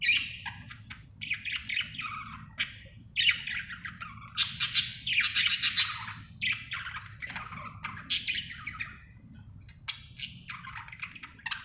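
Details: Continuous chatter from a happy budgerigar: scratchy warbling phrases, squawky chirps and clicks running almost nonstop, over a steady low hum.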